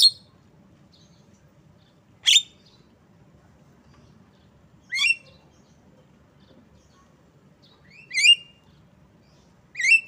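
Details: Asian pied starling with harsh chirps alternating with stacked, nasal, descending squawk notes, five outbursts spread across the clip with quiet gaps.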